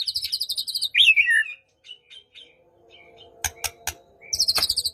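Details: White-rumped shama song used to provoke a silent bird into singing, morning or evening: a fast repeated high chatter, then a slurred descending whistle, sparse soft notes, sharp clicks, and another rapid trill burst at the end.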